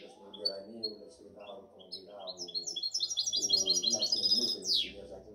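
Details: European goldfinch hybrid, seven months old, 2019–2020 bird: scattered high chirps give way to a rapid rattling trill and a buzzy descending note, while a man talks in Arabic throughout.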